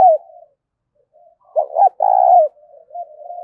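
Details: Spotted dove in 'thúc' cooing: a brief coo tail, a pause, then one full phrase of two quick low hoots followed by a long, steady, mellow coo and quieter cooing after it.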